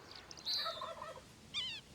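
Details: A wild turkey (Meleagris gallopavo) hen gives a quick, high, rippling series of notes that tumbles downward, then a short bright burst a moment later, over faint background hiss.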